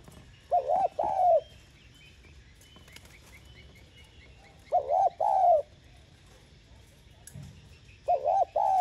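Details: Spotted dove cooing to lure and stimulate wild doves: three short bursts of soft, hollow, arched coo notes spaced several seconds apart, with faint high chirps from other birds in the background.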